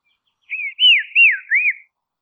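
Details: A Dusky robin of Tasmania gives four smooth arched whistles, the first softer, the next three loud and falling in pitch, run together in about one and a half seconds.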